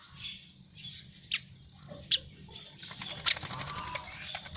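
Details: After a bath, an Asian pied starling gives short harsh notes and sharp clicks, then a longer rasping, crackling phrase toward the end.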